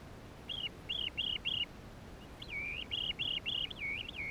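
Chestnut-headed Bee-eater giving short, rolling, high chirps: a burst of four, a pause, then a quicker run of about seven, over faint background hiss.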